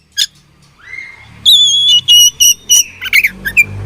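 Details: A fighting oriental magpie-robin gives a rising glide, then a long steady whistle broken into repeated pulses, and a few harsh closing notes, with low rumbling in the background.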